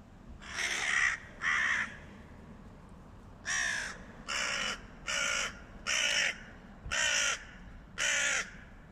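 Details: Hooded crows (Corvus cornix) fighting a stray cat give harsh, raspy caws: a pair, a short pause, then six more in steady succession about once a second, over low background rumble.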